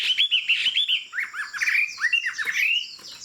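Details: Fig-leaf-tailed tame hwamei in high-perch song: clear whistled notes bounce in rapid rising and falling slurs, first high and fluid, then dropping into lower looping phrases before tailing off.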